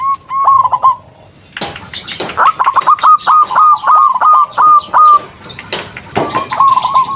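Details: Local zebra dove in active song, used to provoke answers from other zebra doves: a short rolling coo, then a long even series of clipped, evenly spaced coo notes, with rustling or flapping bursts around them.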